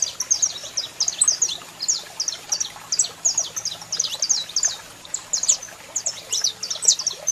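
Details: Saffron finch, a male singing while a female calls: dense, rapid high chirps and short sharp notes, repeated over and over in busy overlapping bursts, with a faint low hum underneath.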